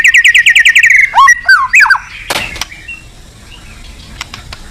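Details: White-rumped shama song meant to stimulate other birds: the end of a rapid rattling trill, then a few sliding, warbled whistles, fading into near silence with faint distant chirps.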